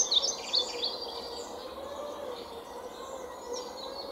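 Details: A European pied flycatcher pair, male and female, gives three quick, high, sharp notes in the first second, then fainter high twittering over a steady background hiss.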